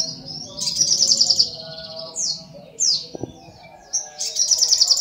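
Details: Sunbird song of high, thin notes: rapid trilled bursts alternating with descending whistled slurs, with a brief low knock in the middle and another quick trill at the end.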